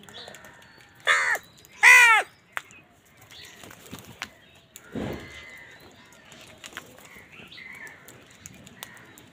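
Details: Crows squabbling with wild birds over food, two loud harsh nasal caws near the start, then quieter mixed chirps, whistles and scattered bird calls in the background.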